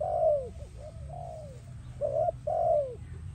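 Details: Spotted dove singing, used for dove training: a loud falling coo, then softer coos and a long drawn note, ending with a clipped double coo and another descending coo.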